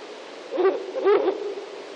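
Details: Female Ural owl calling near its nest: two low, hoarse, barking hoots about half a second apart, rough and noisy in texture, over a steady hiss of background noise.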